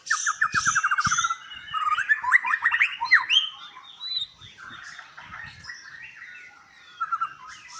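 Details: Captive white-rumped shama at a Palembang breeding farm in Indonesia opens with a fast stuttering trill, then loud upslurred whistles and chatter fading into quieter twittering; a few low cage knocks are heard.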